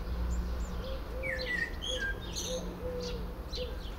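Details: Common blackbird singing varied fluty whistles and high twittering phrases from its favourite Lawson cypress while a dove listens and gives low, repeated hooting coos underneath, with a steady low hum.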